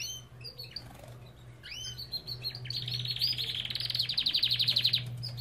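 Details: Belgian canary song from an aviary: rapid trills and chirps building into a dense buzzy rolling trill, repeated about four times a second, with a low steady hum underneath.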